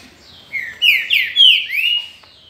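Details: Kept trinca-ferro, or pixarro (green-winged saltator), from the 2019 season, delivering a bold whistled phrase: a short lead note, then three or four strong swooping slurs in quick succession, over a faint low background hum.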